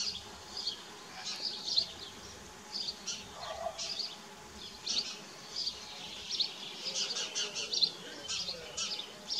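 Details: Common kestrels at a nest in Dohr on 4 June 2015, as the male brings a mouse and the young feed, give shrill, slightly buzzy high calls in short bursts every half second to second, over faint hiss.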